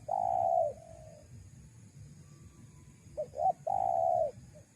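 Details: Spotted dove coo used as a lure for wild doves. A long mellow coo trails off, then after a pause two brief rising notes lead into another sustained smooth coo, with low background rumble.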